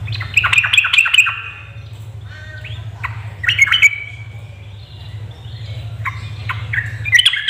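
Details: Female yellow-vented bulbul calling to lure males into singing: quick clusters of bright, harsh chirps in three or four bursts separated by quieter gaps, a steady low hum underneath.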